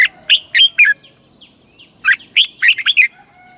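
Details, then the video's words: Red-whiskered bulbul, Thailand, southern master song style, used to train or stimulate caged birds: two quick lively phrases of four or five bubbling chirped notes, separated by a short pause, over a thin constant high tone. "เสียงนกกรงหัวจุก สำหรับต่อ หรือ เปิดให้นกคึก"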